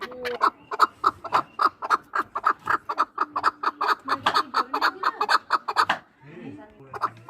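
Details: Chukar partridges for hunting, two years old, from Norak in Tajikistan, producing six seconds of rapid repeated chuck notes that stop abruptly, followed by quieter scraping sounds and a low voice.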